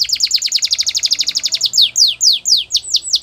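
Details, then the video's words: Canary song meant for training young birds: a fast trill of short descending notes that slows into broader, slurred downward sweeps repeated about three times a second. "The Best Canary Singing For Training !! Try It"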